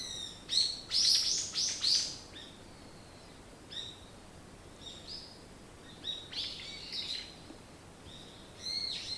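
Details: Morning birdsong: bursts of bright, high chirped notes, several quick descending strokes in clusters, separated by quieter pauses with a few softer distant chirps and a steady outdoor hiss.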